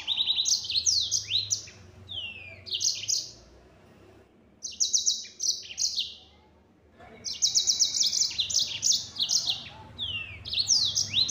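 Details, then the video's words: Three energetic bursts of high, buzzy 'nembak' song from a yellow-fronted canary, separated by short quiet gaps, with swooping slurs between rapid notes. "Burung Mozambik Gacor Suara Nembak Full Speed"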